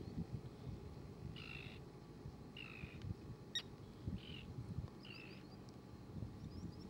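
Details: A common tern with two grown-up chicks gives four harsh, grating calls, each about half a second, spaced about a second apart, over steady low rumbling background noise.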